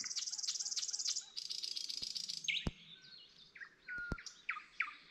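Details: Nightingale singing at night in Gaujiena park, Latvia, heard from a path: fast rattling trills near the top of the range, then varied whistled notes and sharp clicks, with a few insects faintly in the background.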